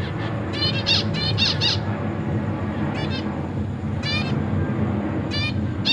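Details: Zebra finch chicks, newly hatched and fledged young being fed by their parents in a cage, give rapid, buzzy, rasping begging bursts in short clusters every second or so, over a steady low hum.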